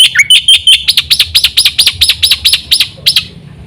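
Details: Black-winged myna song meant to draw other mynas into singing: a short whistled upslur, then a steady run of about a dozen harsh, buzzy chattering notes, fading out at the end.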